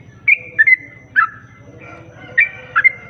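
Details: Sooty-headed bulbul song played to lure other bulbuls: a few loud, clear whistled notes, some doubled, sliding slightly downward, separated by short pauses over a faint low rhythmic hum.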